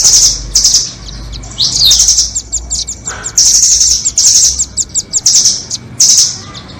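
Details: Nuthatch song of the doraemon and red-billed types, used as a lure for trapping birds: high, dense rattling trills in bursts of about half a second, with short sharp chips and a brief lower note between them.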